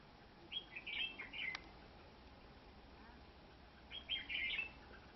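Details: Wild red-whiskered bulbul caught in a fighting trap with a decoy, a large-headed bird: two bright, quick warbled phrases of chirpy whistles separated by about three seconds, over a steady background hiss and one sharp click.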